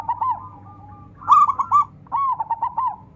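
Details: Local zebra dove (perkutut lokal) calling a rival to sing: a faint drawn-out coo followed by two loud, rolling phrases of rapid bubbly notes, each ending in a wavering trill, over a low steady hum.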